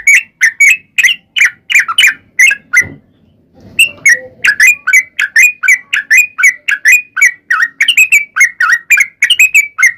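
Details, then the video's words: Sooty-headed bulbul lure song for prompting other bulbuls to answer; quick whistled notes pause briefly near three seconds amid a low rustle, then resume in a fast steady run. "KICAU SUARA trucukan gacor TARUNG ROPEL PANJANG ampuh MENJADIKAN burung trucuk gacor NYAUT SEKETIKA"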